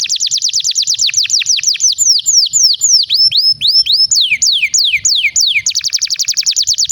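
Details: Canary song meant to coax quiet canaries into singing and teach young birds: a fast rolling trill of high notes, slower looping whistles and slides, then another rapid trill at the end.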